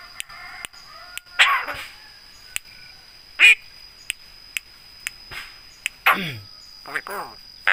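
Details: Javan myna trained to mimic people, greeting and coughing among its imitations: harsh hoarse voice-like bursts, one with a falling nasal tone, scattered between sharp clicks and a brief whistle over steady faint hum.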